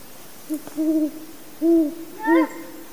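A great horned owl gives four deep, soft hoots over about two seconds, the first brief and the rest longer and rounder, against quiet background hiss.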